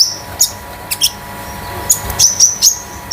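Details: Konin (common iora) kept at home, a young bird shedding speckled plumage and used to coax other birds; sparse thin whistles early, then a quick string of high piping notes, over indoor hum.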